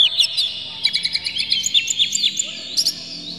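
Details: Oriental magpie-robin in an agitated, tail-spreading display, singing a dense run of sharp high chirps and rising and falling whistled slurs, with rapid stuttered notes near the end; used to provoke other magpie-robins into singing.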